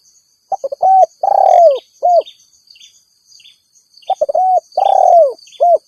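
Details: Spotted dove calling rivals, a call used to lure wild doves. Two coo phrases four seconds apart, each stuttered notes, a long falling coo, and a short end note. Faint chirps from other birds and insect hum.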